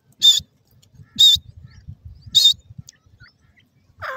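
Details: Baby francolins, named as golden francolin and grey Irani teetar, giving three piercing high peeps spaced roughly a second apart, then a lower wavering note at the end, over light rustling.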